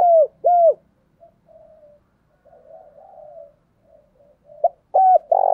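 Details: Spotted dove kept as a lure bird in Vietnam, urgently cooing to stir wild doves. Two strong, hollow coo notes open the recording, then quiet low murmuring follows before loud coos return at the end.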